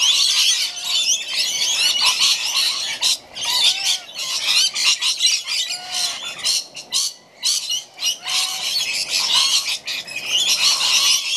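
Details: Several rainbow lorikeets being fed in a backyard, keeping up a dense, harsh, high-pitched screeching chatter. The overlapping squawks run almost continuously, with only a few brief lulls between loud bursts.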